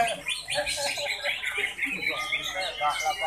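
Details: A captive greater green leafbird, a champion songbird-contest winner, pours out a fast, unbroken stream of varied chattering, whistled and buzzy notes, with faint human voices behind.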